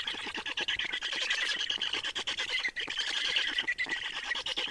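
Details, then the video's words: At an Estonian black stork nest, 30 May 2019, during changeover and feeding: continuous high wheezy squeaking and rasping pulses, dense and unbroken, likely several birds calling together. "Estonian Black Storks - Change and feeding"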